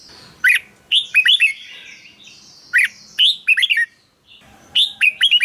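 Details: Caged red-whiskered bulbul song used to stir up other birds or lure them: short lively phrases of slurred whistles and chirps, each burst about a second long with brief pauses between, over faint background hum.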